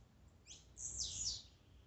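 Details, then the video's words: Blue-black grassquit singing to rouse a caged bird: one thin, high buzzy phrase that rises briefly, then slurs down and fades, over faint low background noise. "Melhor esquente de tiziu,cantos e macheados para enlouquecer sua ave."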